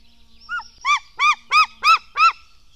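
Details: Black stork nestlings at a nest in Latvia, fed at 04:53 on 24 June 2016: six loud, nasal, arched calls repeated about every third of a second after a short lead-in note, over faint low hum.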